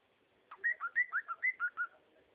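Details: A short cockatiel phrase of alternating higher and lower whistled notes, steady and tuneful, about eight notes in just over a second.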